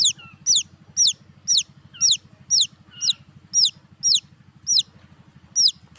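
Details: Chicks giving shrill falling peeps at an even pace of about two per second, some softer notes in between, all over a steady low-pitched hum.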